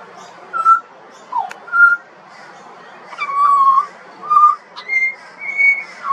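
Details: Juvenile pied butcherbird, Australian songbird, giving a few spaced whistles, then a longer wavering fluted note and rising clear phrases toward the end.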